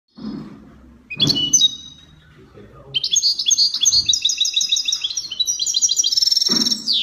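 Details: European goldfinch in Spanish copia song style, from Morocco: a fast run of bright, metallic twittering notes about four per second climbing in pitch, preceded by a short chirped phrase and low background knocks.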